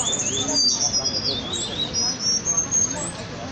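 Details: Cuban bullfinches fighting and singing give thin, very high whistles and quick sliding notes, overlapping in an excited back-and-forth, over a faint murmur of background noise.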